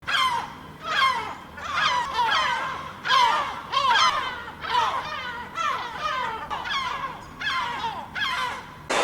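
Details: Gulls calling in a flock on a rooftop, harsh overlapping squawking cries with a laughing, descending quality, repeated in bursts about every second or so.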